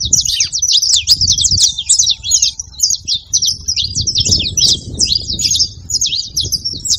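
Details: Saffron finch song played to stimulate a quiet canary: a continuous run of fast, sharp chirps and trills, dense and high-pitched, with faint low rumbling noise beneath.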